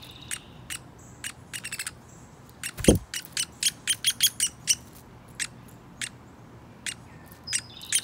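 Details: Adult male Downy woodpecker and his talkative baby at a hand-held suet feeder, the father leaving the young to feed alone; sharp, high, clicking pik notes in irregular bursts, with a soft thump of handling noise.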